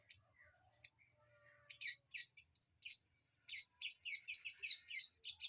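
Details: Birds in an aviary, used for training a white-rumped shama: rapid series of sharp, downward-sweeping high chirps in quick bursts, with a few isolated notes before.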